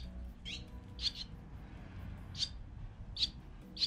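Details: Swallow chicks at the nest on 8 April 2020, in the week they began wing-flapping practice, with parents feeding them. Short, husky, high chirps come in separate bursts roughly once a second over a low steady hum.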